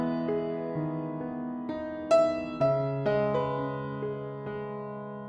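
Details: Soft solo piano music with gently struck notes and sustained chords; no animal calls are heard.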